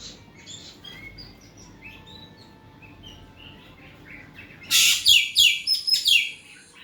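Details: Asian pied starling song meant to coax a reluctant bird into singing: soft, varied whistles and chirps build to a sudden loud run of harsh, rasping notes repeated about three times a second.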